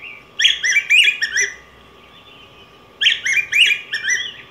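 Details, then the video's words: Yellow grosbeak (Pheucticus chrysopeplus) sings two bursts of rich, warbled, slurred phrases about two seconds apart, over a faint steady hum. "Canto Del Pico Grueso Amarillo"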